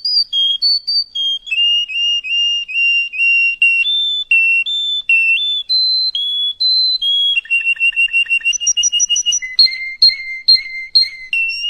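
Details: Canary trainer song played to young chicks: long chains of sustained whistled notes at steady pitches, changing to faster rolling trills and quick pulsed phrases near the end, rich and ringing, in a quiet setting.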